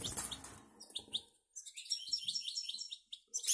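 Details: High, rapid twittering from a caged goldfinch and canary hybrid from the Canary Islands. Quick tinkling notes string together over a rustling, noisy start.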